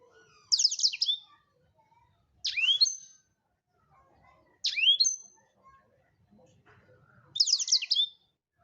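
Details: Blackthroat song used to tutor other songbirds: four short, bright, high phrases of rapid trilled notes and a down-then-up sweeping whistle, spaced about two seconds apart over a quiet background.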